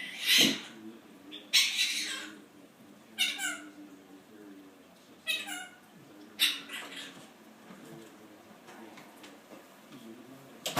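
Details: Male pet Quaker parrot indoors, talking and mimicking its owner's complaints about work, picked up untaught from listening to people; a series of high, harsh, speech-like harmonic bursts at irregular intervals with quiet room noise between.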